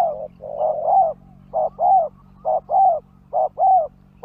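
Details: Spotted dove luring wild birds with rhythmic coos: each phrase is a short note followed by a longer, gently arched one, repeated at a steady pace about once a second over a low steady hum.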